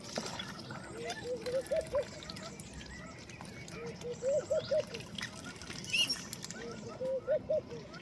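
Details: Mixed ducks foraging in a pond, among them freckled duck, Madagascar teal, marbled duck and Baer's pochard; trickling water and dabbling under three bursts of four or five quick rising notes, roughly two and a half seconds apart.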